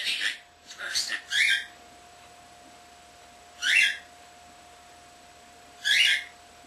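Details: Pet common starling under a year old, talking and imitating household sounds indoors: a quick series of three harsh syllables, then two more single bright bursts spaced roughly two seconds apart, with quiet between.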